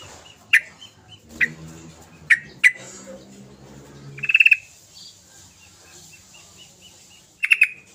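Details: Sooty-headed bulbul: scattered sharp single chirps, then a quick rattled burst of several pulsed notes, a long pause, and a final pair of rapid chirps, over faint background noise.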